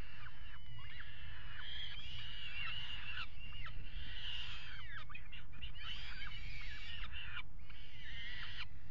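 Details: Peregrine falcons mating on a water tower ledge at Axel on 5 February 2018, calling in a long, excited series of scratchy wails and sharp falling notes that come in irregular bursts, over heavy low-frequency hum.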